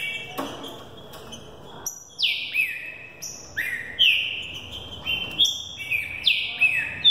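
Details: Green-winged saltator, a fiery young bird readied for the 2018 season, delivers its Thunder Truck song, more than 20 per minute. Bright descending whistles follow one another in a rapid, ringing string after a brief quiet start.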